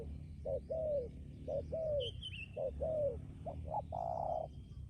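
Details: Decoy spotted dove giving low short-then-long coos in quick succession, ending in a fuller, broader coo; background chirps from other birds and steady low hum.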